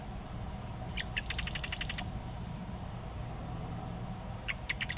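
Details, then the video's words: Marsh wren singing at Sacramento National Wildlife Refuge: a few sharp introductory ticks, then a fast, dry mechanical rattle lasting under a second, with another song starting near the end over steady low rumbling background noise. "Marsh Wren singing"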